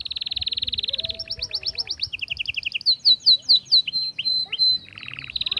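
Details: Atlantic canary singing to excite females for mating. Rolling trills change tour after tour: a fast buzzy roll, then spaced high notes, downward-slurred loud whistles and a lower rattling trill. A faint wavering low whistle sounds early on.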